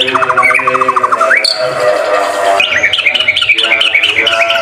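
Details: Murai batu, the white-rumped shama, singing energetically for a training recording: fast, evenly spaced trills, then a sudden upward sweep and a run of bouncing whistled notes, over a steady low droning background.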